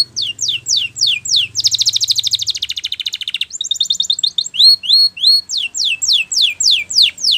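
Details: Spanish Timbrado canary training song, loud and clear: repeated falling whistled sweeps, a fast metallic buzzing trill, chattering notes, then more rising and falling whistles in quick succession.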